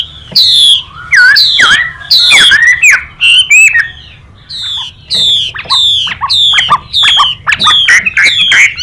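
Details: Chinese hwamei singing in fighting style with a female calling: varied loud whistles, looping slurs and twisting notes at first, then a long series of repeated falling whistled phrases, each clipped short with a lower tail.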